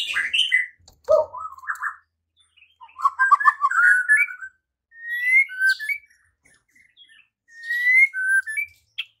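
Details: White-rumped shama stirred into singing and fighting: clear whistled notes sliding upward, short melodic phrases separated by pauses of about a second, with thin high tinkling notes above and brief chattering fragments.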